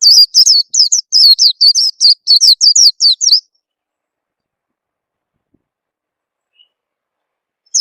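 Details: Oriental white-eye lure call used to coax a bird into singing: roughly fifteen high, squeaky, quavering chirps tumbling out in quick, uneven succession for three seconds, followed by silence broken only by a single chirp at the end.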